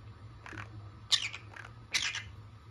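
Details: One of two pet green-cheeked conures gives harsh, raspy squawks indoors, a softer one then two loud bursts about a second apart, over a low indoor hum.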